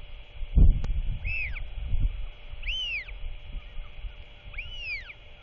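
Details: Royal albatross chick calling as its father arrives home just before dark on 27 March 2024 to feed it; three arched, rising-then-falling whistled calls spaced about 1.5 seconds apart over a steady hum and low rumbling noise.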